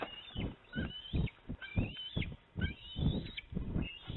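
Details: Bald eagle fledglings at the nest in late afternoon, June 25, 2019, fighting over food delivered by a parent; high, thin, rising-and-falling squealing calls in bursts, over repeated low thumping and rustling at the nest.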